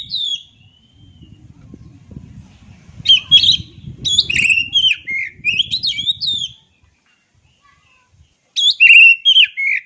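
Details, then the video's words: Oriental magpie-robin delivering bursts of varied whistled notes with sharp sweeps and chattering elements. The bursts are separated by a long silent gap, and a soft low rumble sits underneath the opening section. "Dengar Suara Asli Kacer Ini"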